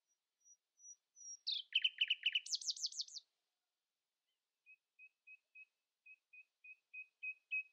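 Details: Common nightingale in the early morning, holding its song above rivals': faint high whistles, then a loud burst of rattling trills rising in pitch, a pause, and a slow series of soft repeated chips growing louder.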